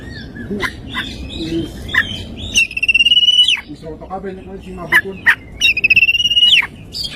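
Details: Morning song of an oriental magpie-robin full of mimicked phrases: sharp whistled upslurs and loud rattling trills, a rapid pulsed stutter in the middle, and brief lower chatter in the background.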